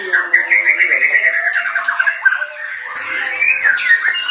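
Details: White-rumped shama, a kept songbird, singing a rapid run of rolling, chattering notes near one pitch, then varied whistled phrases and sharp slurred notes, with a little room echo.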